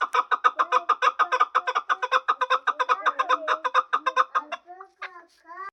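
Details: Chukar partridge call used for hunting. Fast, rhythmic clucking notes repeat several times a second, then thin out into a few scattered, short rising notes near the end.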